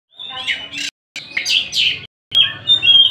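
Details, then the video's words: Kacer Tasik, an Oriental magpie-robin, singing as it pleases: three bursts of loud, rich whistled and chattering phrases with short silent gaps between them, and scratchy notes mixed in. "Kacer Tasik Muni sak enak e atine"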